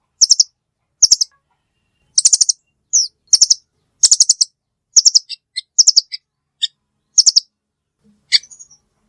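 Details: Velvet-fronted nuthatch giving sharp, very high chips in quick bursts of three to four, about one burst per second, with a few single thinner notes in between; clean recording with no other sounds.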